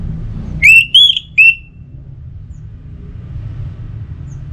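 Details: Orange-headed thrush pacingan singing: three bright whistled notes within a second, rising then falling slightly, followed by silence apart from a low background drone.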